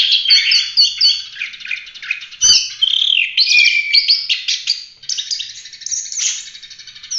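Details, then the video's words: Fast, varied song of an Oriental magpie-robin meant as training material for other birds, mixing high chips, buzzy trills and a slurred whistle, with a sharp click near the middle. "Kacer gacor ful roll tembak cocok buat masteran"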